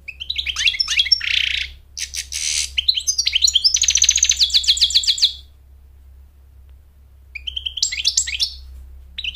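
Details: American goldfinch song used for courting a mate and teaching chicks to sing: varied high twittering with harsh buzzy bursts, then a long rapid trill of repeated notes, a pause, and a final twittering phrase.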